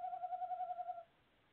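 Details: A tawny owl at a nest box gives a single sustained, gently pulsing hoot of about a second that stops abruptly, leaving quiet; recorded 25 February 2018.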